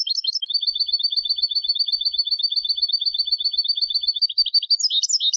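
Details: Turkish goldfinch singing in Istanbul: a steady, long series of rapid doubled chip notes at one pitch, starting and ending with brief tumbling twittered flourishes.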